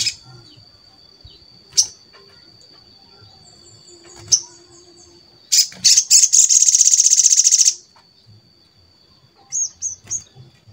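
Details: Crimson sunbird (sogon) lure song meant to get other sogon singing and draw them closer: scattered high thin chips, then a fast buzzy high trill lasting about two seconds, followed by a few quick chips.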